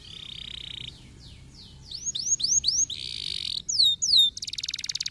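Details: Canary song meant to prompt lazy canaries into singing: a steady buzzy tone, then looping whistled swoops, a harsh buzzy burst, more sweeps and a fast rattling trill at the end.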